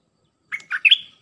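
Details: Red-whiskered bulbul song played to train young birds, in a dense style of pure 'dok' notes; one brief phrase of three quick whistled notes rising to a clear, sustained high note, with a quiet background.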